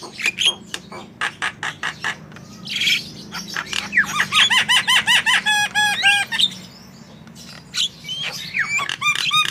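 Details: Javan myna in vigorous song, used as a master recording to prompt other birds; fast clicking notes, then a rapid run of repeated hooked whistles, then scattered harsh notes and rising whistles, over a low background hum.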